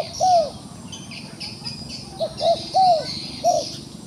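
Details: A wild dove held in a trap and still aggressive coos: one long falling note, a pause, then a three-note phrase of short rising-falling hoots, with a continuous high rural buzz behind.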